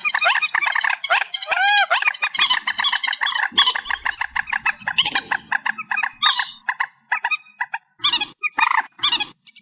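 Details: Reed warbler song, amplified and described as a night bird sound: long run of rapid, grating, clicking notes with occasional arched croaks, breaking into separate short bursts toward the end.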